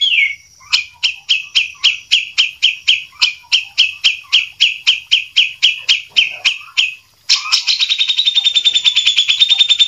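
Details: White-rumped shama song used to tutor birds, featuring a champion and a young spotted-plumage bird: about twenty crisp, evenly spaced notes, each a sharp downward flick, followed by a rapid, high, buzzy trill.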